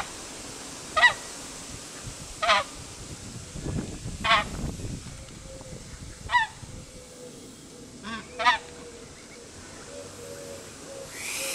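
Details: Emperor goose giving single short, nasal honks every one to two seconds, separated by quiet gaps, with some faint low rumbling and a brief hiss at the end.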